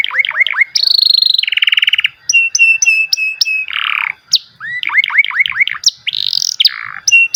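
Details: Melodious canary singing with varied tours: upslurred whistles, a dense rolling trill, steady repeated chirps, a harsher rasping note, then more quick rising whistles and trills.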